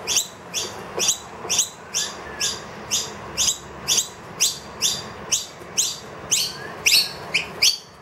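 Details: Loud food demands from a wild noisy miner accompanied by two young indoors after the feeder ran out: a steady run of bright, upward-sweeping chirps roughly two per second, some briefly overlapping near the end.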